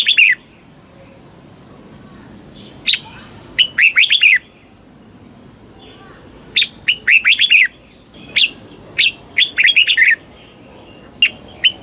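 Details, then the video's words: Thai red-whiskered bulbul in a cage, singing the southern master style used to stimulate caged birds and teach young birds. Repeated snappy phrases of clear warbling whistles, some long and busy, others just one or two notes, scattered through quiet pauses. "เสียงนกกรงหัวจุก สำหรับต่อ หรือ เปิดให้นกคึก"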